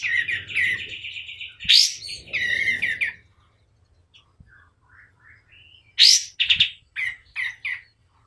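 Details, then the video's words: Lively white-eye song, as a tutor recording for training other birds: a buzzy, high trill with sharp chirps. After a quiet gap come soft scattered notes, then a burst of varied, clipped chirps and twitters. "KAPAS TEMBAK GACOR DOR || Cocok buat masteran"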